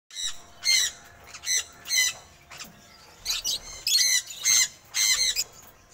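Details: A semi-adult sun conure gives loud, harsh, piercing squawks in short repeated bursts.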